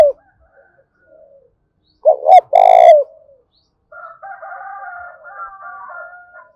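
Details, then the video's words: Spotted dove lure recording used to stimulate wild doves to call, in the "thổ đồng" voice style: one coo phrase of two short rising-falling notes and a longer low hooting note, followed by thin higher chirps from another bird. "Tiếng chim cu gáy thúc cực sung/ chim cu gáy kích bổi hiệu quả"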